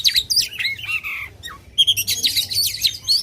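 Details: Loud Oriental magpie-robin song for rousing contest birds, made of quick high whistles, descending slurred notes and dense chattering phrases with a brief pause midway.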